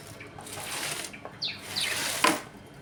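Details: Budgerigars in a home colony, eating, playing and fighting: a few quick descending chirps and squeaks over rustling and splashy, watery noise.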